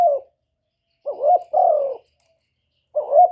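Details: Spotted dove call used to lure wild doves: low, soft cooing phrases in short groups, a brief coo, a pause, then a longer drawn-out coo, repeating after about a second of silence.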